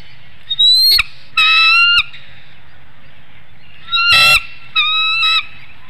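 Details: Eagle at a nest webcam in Hanover, Pennsylvania, on 7 April 2019 at 6:36 PM, crying out in warning as an intruder, possibly a juvenile eagle, passes through the woodlot. Loud, high, ringing harmonic cries come in four short bursts over a faint background hum.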